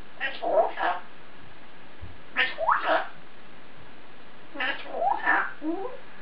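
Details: African grey parrot in its cage talking to itself, three clusters of mumbled speech-like syllables roughly every two seconds, with quiet pauses between.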